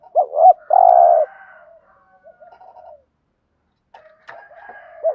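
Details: Stimulating coo of a spotted dove, meant to get newly caught doves calling: one phrase of two looping notes and a long buzzy coo, followed by faint low murmurs and a distant second coo at the end.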